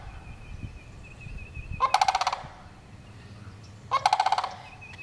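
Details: A sandhill crane calls twice, each a harsh, trilled rattle of quick pulses lasting half a second, about two seconds apart. A thin, steady higher tone runs through the quiet gaps.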